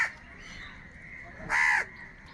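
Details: Many crows gathered and fighting for food; one loud harsh caw rings out after a quieter stretch of distant crow calls and a murmuring flock.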